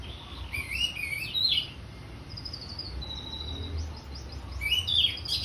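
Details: Orange-headed thrush singing ngeplong: a burst of twisting whistled phrases at the start, a thin sustained high whistle in the middle, then another lively warbled phrase closing; faint low rumble behind.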